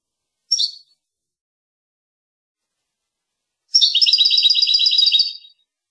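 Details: Goldfinch from Tunis in Rasta Torka song. A single sharp high chirp, a silence of about three seconds, then a long, even, rattling trill of bright notes lasting nearly two seconds.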